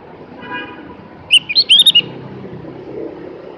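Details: Javan grey-throated white-eye singing a short burst of about six high, sharp chirping notes in quick succession, set against a low rumble of passing traffic.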